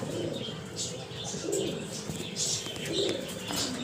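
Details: Young spotted dove, about three months old, offspring of an F3 Kelantan male and a white multi-coo Sinom dove, gives soft, low cooing notes about every one and a half seconds, with high thin chirps from other small birds behind.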